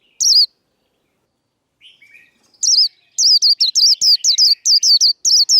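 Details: Japanese white-eye singing the 'líu đấu' fighting song, a training recording for cage birds: a lone high chirp, soft lower twitters, then a rapid string of sharp, high, down-curving notes in quick bursts.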